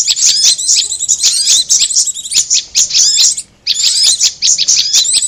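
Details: High, busy chirping from a prinia lure recording, rapid twitters and slurred whistles, a brief silent gap midway before the chattering resumes.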